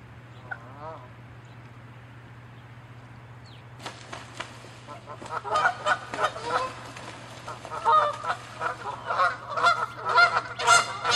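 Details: Quiet for about four seconds, then territorial Canada geese break into a fight, honking loudly and rapidly, roughly two calls a second, growing more intense toward the end.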